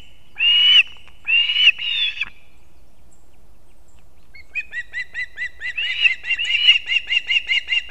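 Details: Male osprey carrying two fish to chicks at a nest in Kurzeme, Latvia, 6:40 am on 3 September 2024. Three strong slurred whistles, a quiet gap, then an accelerating series of soft, high chirps.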